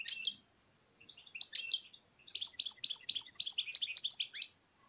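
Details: European goldfinch, likely a pet indoors, singing: a brief chirp, a short twittering phrase, then a long rapid run of liquid, tinkling notes lasting about two seconds.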